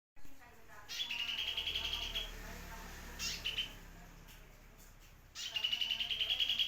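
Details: Sunbird, known locally as kolibri merak or kolibri gunung, sings as a tutor for white-rumped shamas and oriental magpie-robins: two high, rapid buzzy trills of tightly repeated notes, each lasting about a second, with a brief chirp between.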